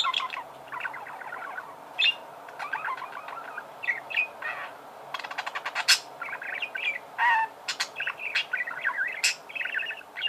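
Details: Budgerigars in song, a varied stream of short chirps, clicks, buzzy rasps and a few clear whistled notes, delivered in uneven bursts with brief pauses between phrases.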